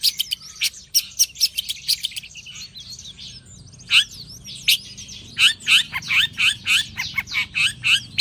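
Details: Long-tailed shrike set out to sunbathe in the morning, singing a high, varied series of sharp chirps and clicks, then louder buzzy, down-slurred notes repeated roughly every third of a second, over a faint low hum.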